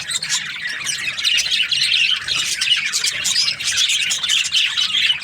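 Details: A flock of budgies produces an unbroken high chatter of chirps, warbles and squawks, loud and steady throughout.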